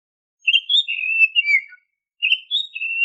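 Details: Oriental magpie-robin (kacer) song, used as a lure to make untrained caged birds sing. Two long, fluent whistled phrases with wavering inflections, separated by a brief pause. The first falls at its end, and the second holds a steady high whistle.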